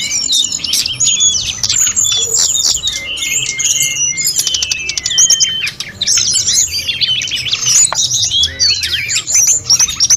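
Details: Snowy-browed flycatcher pouring out a busy master song for teaching other birds; fast high twitters, a few clear descending whistles around four seconds, then renewed rapid chattering.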